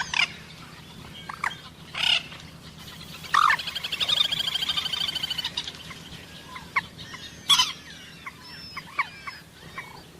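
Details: Common moorhen, known locally as jal morgi: sharp, explosive single calls scattered through the clip, with a rapid pulsed chattering series in the middle. Other thin, high notes and faint background hiss are also present.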